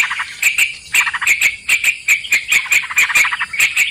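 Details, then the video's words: Sooty-headed bulbul sound used as a lure for trapping birds: quick, harsh chattering notes repeated rapidly in uneven bursts, each note bright and clipped, with a steady high electronic hiss throughout. "Pikat trucukan"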